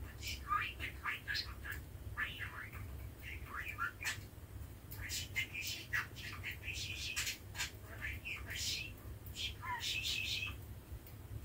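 A male budgerigar chatters nonstop, mixing high warbled chirps with scratchy, speech-like mumbles and squeaks, over a low indoor hum.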